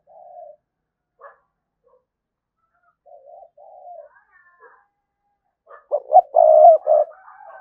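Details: Spotted dove lure cooing to provoke a response: scattered soft low coos over several seconds, building to a loud cluster of short stacked coos and a longer held note near the end.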